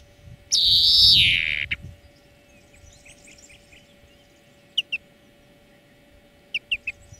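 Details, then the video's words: Greenfinch training song opening with a single loud, drawn-out nasal wheeze that falls in pitch, followed by sparse soft chips and a few sharp high notes against a quiet background hum. "Florya Ötüm Dersi 4 Saat"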